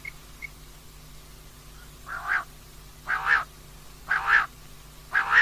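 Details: Female common quail calling, recorded for night use: after a quiet start, four nasal, broad notes roughly one second apart, each swelling and then fading, with a faint background hum.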